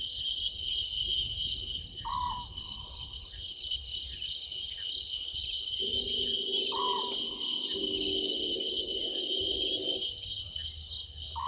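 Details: Small owlet calling from a tree beside the Gowrie dam waterhole, Djuma Game Reserve, South Africa, at 00:38 on 11/12/2023; three short falling notes roughly every four to five seconds, a low rumbling sound midway, and constant cricket chorus.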